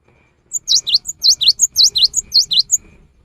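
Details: Cinereous tit, rainy season, singing as a lure: a lively string of high notes alternating a thin upper tick with a loud swooping V-shaped whistle, about ten notes in under three seconds.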